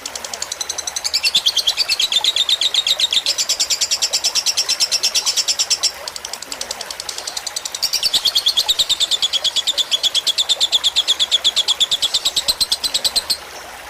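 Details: Lovebird fighter song on a training recording: two long bursts of fast high chirping, each several seconds. The first fades near six seconds and the second builds again, with a brief drop between.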